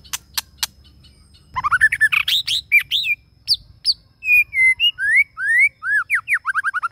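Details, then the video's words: Long-drawn song of a male white-rumped shama kept as a lure bird. Sharp clicks first, then a rich run of varied whistles, rising and falling slurs and steady held notes, ending in quick repeated upslurred phrases. "Chích Chòe Lửa Mồi Hót kéo Giọng Dài Cực Hay"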